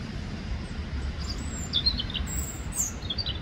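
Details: European robin (Erithacus rubecula) in the Ljubljana Botanical Garden on 18 October 2024, giving thin, high, sweet notes in short varied phrases over a steady low rumble of distant traffic.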